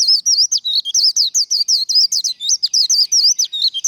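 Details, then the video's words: White-eye in 'líu đấu' contest song, used to fire up birds for contest training: an unbroken run of sharp, high, warbled chirps, each note twisting up and down, about five to six notes per second. "Vành khuyên líu đấu | SIÊU HAY Khuyên líu kích bổi | Kích lửa vành khuyên líu đấu"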